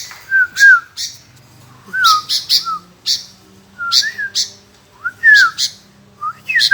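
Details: Calling back again and again, a sooty-headed bulbul delivers paired mellow whistled notes that dip and rise, spaced about a second apart, each paired with a short harsh burst; a soft low hum lies beneath.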